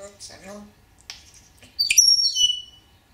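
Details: Grey parrot apparently wanting attention: a brief low, speech-like mumble, a couple of clicks, then a loud, sharp whistled squawk sliding downward near the end, in a quiet room.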